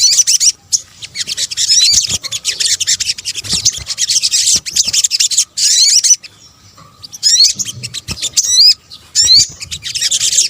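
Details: Sunbird, locally called sogok ontong, in a combined lure recording from Indonesia: dense, very high, rapid twittering chatter with sharp upswept whistled notes, broken by short silent gaps.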